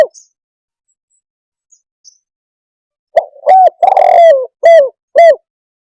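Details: A quiet pause with faint ticks gives way to a spotted dove's cooing phrase: a short note, a clean coo, a long grating croon, then two separate falling coos.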